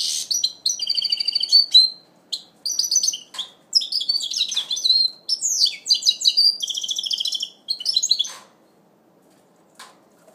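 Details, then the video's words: A goldfinch mule in its first moult, 2012, sings a fast, bright run of tinkling twitters and trills in bursts of about a second, all high-pitched, in a quiet indoor room. "Mulet chardonneret"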